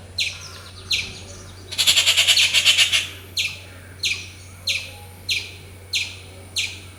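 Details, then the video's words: Rufous treepie calling loudly in the wild: a raspy rattle of rapid pulses lasting about a second, then evenly spaced sharp descending notes roughly every half second, with a steady low hum beneath. "Rufous treepie bird making loud sounds - ഓലഞ്ഞാലി പക്ഷിയുടെ ശബ്ദം"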